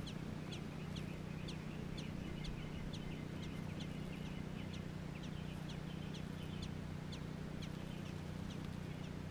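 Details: Baby American robins in Georgia heard as a fairly regular string of faint, thin, high squeaks, roughly three per second, over a constant low background hum.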